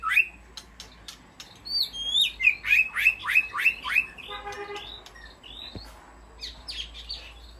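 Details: Aviary-kept white-rumped shama calling to its flock: curling whistles lead into a quick string of loud downslurred chips, then a short harmonic rattle and scattered softer notes.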